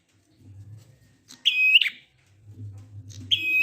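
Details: Prinia singing in the ngalun style, used to prompt silent prinias into singing: two loud, flat, buzzy notes, each opening with a sharp click and ending in a rough burst, about two seconds apart over a low steady hum.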